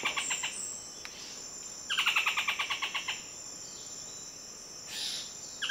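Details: Wild buff-throated foliage-gleaner giving a quick run of about a dozen harsh, clipped notes that gradually slow and weaken, with a fainter burst at the start and a constant high-pitched insect drone behind.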